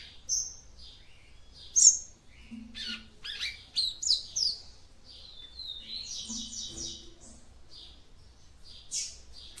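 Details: Female capped seedeater song to stimulate the male: a lively series of high chirps, buzzy trills and rapid twitters, with soft low clicking underneath.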